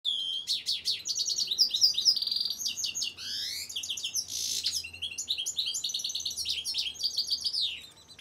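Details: European goldfinch song, paired for comparison with a canary: fast, varied twittering with tinkling high notes, short buzzy trills and rapid chirps that run almost without pause, with one harsh rasping burst midway.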